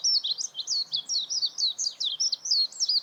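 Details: Warbling white-eye twittering without a break: a fast chain of high, thin, zigzagging notes, around four per second, steady in loudness throughout.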